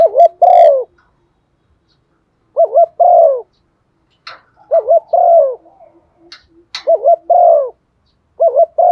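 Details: Decoy spotted dove cooing in a set, well-practised pattern to provoke other doves to call: low, mellow phrases of two short notes then a longer drawn coo, repeated about every two seconds, with faint clicks between.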